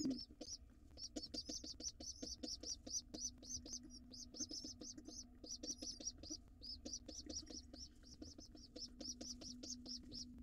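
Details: A wild pigeon nestling that came late to breakfast with its father squeaks continuously in a nest box, shrill short notes tumbling out three to five per second with small gaps, over a faint low hum.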